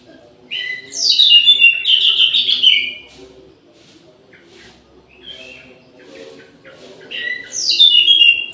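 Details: Orange-headed thrush in an aviary at midday delivering rich, varied warbled phrases with sweeping high notes. After a quieter pause with soft notes, a second loud phrase follows, over steady low background hum.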